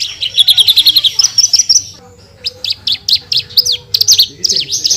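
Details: Javan bush lark pouring out a full tembakan song. It opens with a fast high rattle, pauses briefly, then gives sharp staccato chips and slurred notes with a steady whistled tone behind them.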